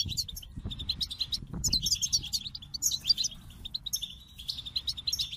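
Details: Goldfinch song of high tinkling chirps and short twittered phrases, repeated in quick clusters, with soft low knocks early on.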